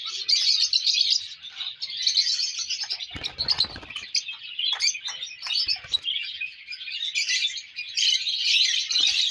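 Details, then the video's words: Colour lovebird chicks calling in a thick wash of high, buzzy chirps, with a short scuffling thud early on and occasional clicks. "colour love birds chicks"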